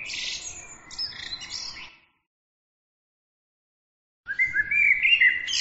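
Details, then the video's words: Two bursts of bird song split by about two seconds of silence: first a dense, high twittering, then a phrase of looping whistled notes and chirps. "bird عصفور"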